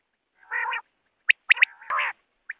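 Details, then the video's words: A common quail gives a sharp three-note call, one note then two quick ones, with buzzy, nasal croaking bursts just before and after; a night-time quail call used for hunting. "common quail sound for night"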